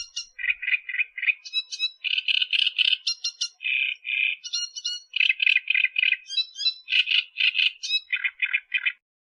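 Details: Wild Australian reed warbler song recorded for tutoring cage birds: long, steady, rapid sequence of harsh, grating chattering notes repeated in runs, interspersed with higher squeaky phrases, continuing for over nine seconds.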